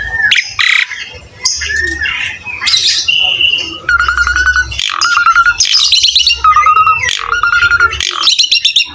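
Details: Vigorous gacor song of an Asian pied starling, a tutor recording for young or quiet birds: scratchy chatter and rising whistles, then steady level whistles repeated about every second among clicking, harsh notes, with a low hum.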